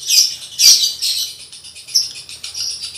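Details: Male lovebird in breeding condition, kept at home, recorded as a tutor for training other males: harsh, shrill squawky bursts, irregular and high-pitched, with a loud burst near the start and softer chatter after.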